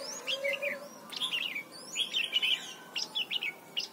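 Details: Red-whiskered bulbul in Thailand, a song recording meant for teaching young birds: repeated short warbling phrases of liquid, slurred whistles, several per second, with a soft low hum beneath.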